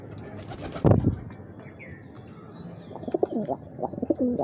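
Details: Pigeons fighting on a rooftop; a loud flapping thump early, then deep, rolling, repeated cooing phrases in the second half, with faint high chirps of small birds and steady outdoor background noise.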